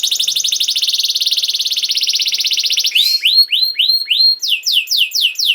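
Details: Canary song played to train young canaries to sing: a fast, even trill of rapid buzzy notes around four kilometres-high pitch, then a run of repeated rising whistled sweeps about four per second.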